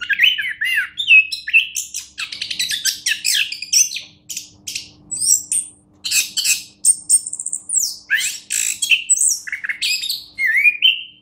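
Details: Long, nonstop song from a champion orange-headed thrush: rapid twittering, rattling trills, squeaks and clear whistles tumbling one after another in short, loud bursts.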